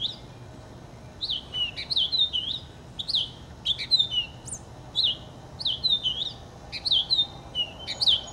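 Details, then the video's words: Purple finch delivering a rich, rapid warble of slurred, bouncing notes in repeated bursts, each phrase a tumbling run of sweet chirps with short pauses between, over faint low background noise. "Roselin pourpré/Purple Finch"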